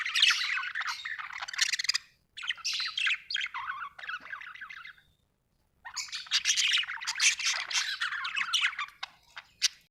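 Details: Continuous scratchy budgie warbling with harsh squawky chatter in long dense runs, broken by a short silence, then resuming more intensely.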